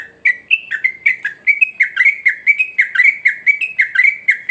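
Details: A sooty-headed bulbul in full voice delivers a continuous chain of around eighteen short, fluty whistled notes, close to four each second, wavering slightly up and down in pitch, against a silent background.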